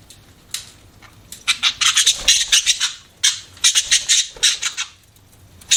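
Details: Pet budgies chirping in quick clusters of sharp, high, buzzy notes, a brief quiet start, then dense rapid chatter in two main bursts.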